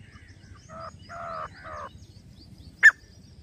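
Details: A grey francolin calling in jungle gives three harsh, grating notes in quick succession, then a sharp click, over a low background rumble.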